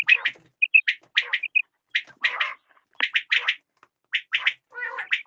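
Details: Quail calling: sharp, chirpy notes in short clusters, some brief clear whistled pips between them, with bursts repeated irregularly over five seconds and no other sounds.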